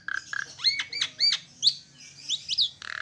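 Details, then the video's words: Asian pied starling singing a quick string of buzzy notes and repeated upward-sweeping whistles, ending in another harsh buzz. "Jalak Suren Gacor"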